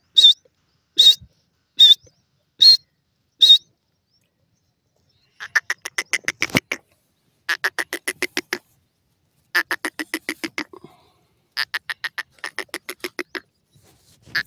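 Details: Grey francolin (teetar) calling while looking up at the sky. Five loud, harsh single notes come about every 0.8 seconds, then bursts of rapid, raspy pulses repeat in four quick series. The background is quiet.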